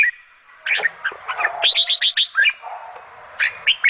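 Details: Bulbul mother feeding her babies; scattered chirps, then a quick series of five high, clear squeaks near the middle, followed by a pause and a few more sharp notes at the end.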